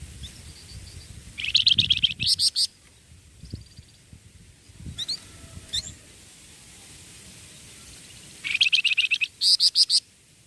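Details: Young songbird singing, with two bursts of fast, high, stuttering chirps about seven seconds apart, and quiet ticks and soft thumps between them.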